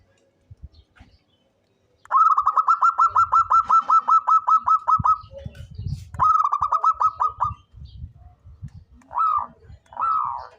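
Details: Local zebra dove, described as an eager, frequent singer suited as a lure bird, giving a long run of about sixteen quick, evenly pulsed coos, then a shorter pulsed burst and two separate rising notes, with soft low thumps behind.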